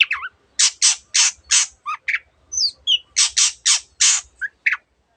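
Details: Long-tailed shrike in full voice, recorded to coax silent cage birds and mixing other species' sound variants: loud, rasping, broadband squawks repeated roughly every quarter second, broken by short whistled slurs and chips.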